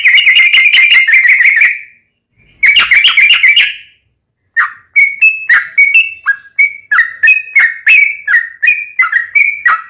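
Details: Yellow-vented bulbul singing a fast 'ropelan tembus-tembus' song with 'ngelituk' and straw-headed-bulbul-style phrases, used to tutor and lure caged bulbuls: two bursts of rapid chattering warbles, a pause, then a string of short slurred whistles about three per second.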